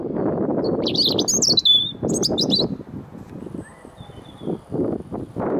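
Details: A robin sings brief bursts of high, thin warbled phrases across a field to another robin, partly covered by steady low rumbling noise that carries on after the singing stops.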